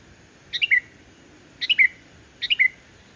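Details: Lively sooty-headed bulbul song with no borrowed notes, played to coax silent bulbuls into singing: three quick phrases roughly a second apart. Each phrase is a bright descending run of three whistled notes.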